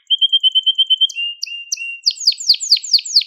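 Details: Crested Gloster canary song for schooling young canaries: a rapid ringing trill of about ten pure notes, a few slurred whistles, then a run of sharp descending sweeps repeated roughly every quarter second.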